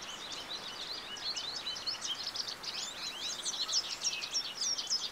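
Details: American goldfinch song: fast, high twittering of short bright chirps and slurred notes, tumbling on without pause over a soft steady background hiss.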